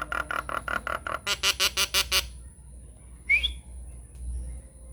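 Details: Nias hill myna lure song, played to make quiet mynas answer and sing: a fast run of about a dozen buzzy, harmonic pulses over two seconds, then a pause and one sharp rising whistle, with a steady faint hum throughout.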